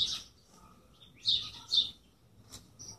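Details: Bird giving a few sharp high chirps, single and paired, spaced over a few seconds with quiet gaps and a faint thin note near the end.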